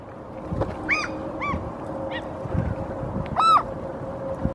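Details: Eurasian oystercatcher standing on a rock in Helsinki, Finland, in April 2023, gives loud, shrill piping notes, three or four sharp 'kleep' calls spaced about a second apart, over a steady low hum.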